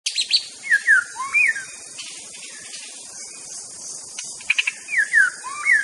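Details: White-rumped shama from Aceh singing: short whistled slurs, falling and rising notes in two bursts with a quiet gap between them, over a steady high insect-like hiss.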